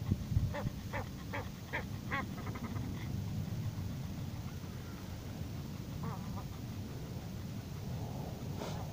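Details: Egyptian geese, a new pair, on the east bank of Superland lake in June: a quick run of harsh, stacked honking calls over the first two and a half seconds, a few later calls, and steady low rumble behind.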